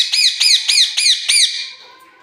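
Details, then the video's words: Angry pet parrot, said to be fighting with its keeper: five harsh, arched squawks in quick succession, each a loud rising-falling screech, then fading quiet. "parrot is angry 😱"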